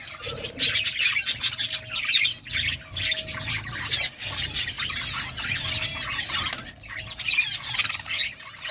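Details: Several birds chirp while eating food, a dense, continuous chatter of quick high twitters and squeaky notes overlapping throughout, over a low steady hum.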